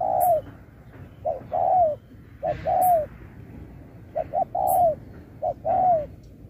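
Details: Singing-contest spotted dove, 2024, performing Thúc-style phrases with Bo. Repeated units of one or two quick notes, then a long coo bending downward, five times over. Brief high clicks and faint background noise.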